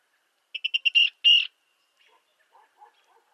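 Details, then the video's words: Virginia rail giving a quick run of five sharp, high ticking notes, then two louder, harsher notes, followed by a few faint low notes. "Virginia Rail Sound Clips"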